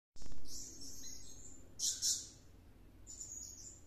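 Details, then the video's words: Blue-crowned hanging parrot singing nonstop in a frenzy after returning from a luring session; a long shrill high squeaky phrase, then a brief louder double chirp and fainter high notes, over quiet background. "Suara serindit gacor kerasukan"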